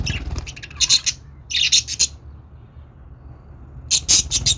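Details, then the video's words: Budgerigar sounds meant to prompt other budgies to sing: loud, harsh, buzzy chattering bursts of rapid scratchy notes, about three clusters separated by pauses, over a faint low rumble. "budgies sounds to make them sing"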